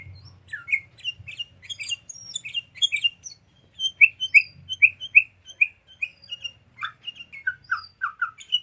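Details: Sooty-headed bulbul song as a lure for training songbirds: busy chirps and high squeaks, then a regular run of repeated chirped notes and a few downslurred whistles over a low rumble.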